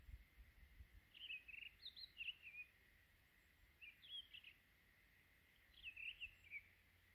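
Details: Townsend's solitaire (Myadestes townsendi), perched high atop a dead tree in winter, sings three quick bursts of high tumbling warbled notes over faint hiss, defending its winter territory of juniper berries; nearby bluebirds perhaps prompted the singing.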